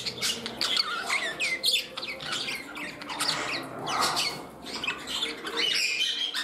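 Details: Indoor captive parrots, a bird becoming temperamental while competing for a spot next to another; harsh rasping squawks and short descending screeches repeat in bursts, with quieter chatter between them.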